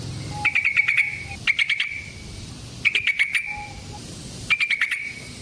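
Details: Yellow-vented bulbul, a lively long-rolling song used as a lure for trapping and provoking other bulbuls: short chattering bursts of rapid notes, repeated roughly every one and a half seconds, with a faint steady tone in between.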